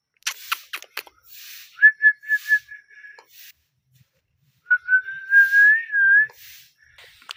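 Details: Parrot starting with a few sharp clicks, then giving a long, clear, steady whistled note, and later another smooth whistle that drifts slightly up and down.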